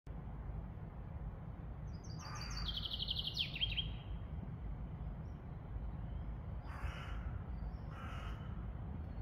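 One bright chaffinch song, a quick descending cascade of notes ending in a flourish. Two harsh crow-like caws follow over steady low wind or traffic rumble.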